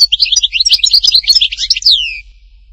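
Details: European goldfinch, Htatba song from Tipaza, Algeria: a rapid stream of bright chirping, twittering notes closing with two long falling slurred whistles, then quiet.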